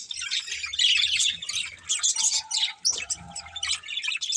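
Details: A budgie breeding pair chatters with scratchy high chirps and squawky notes. Short level tones appear midway, over a faint low background hum.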